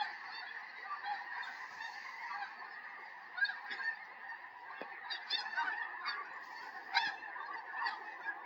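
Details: Snow geese, hundreds in a flock over a rural Tennessee yard on January 21, 2026, just before a big snowstorm; a fairly distant, continuous wash of overlapping honks with occasional clearer individual yelps standing out.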